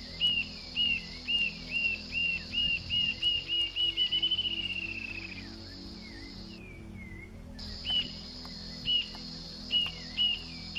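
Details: Rufous-tailed Jacamar singing at daybreak: high, thin upslurred notes, about two per second, speeding into a descending trill, over a steady low hum.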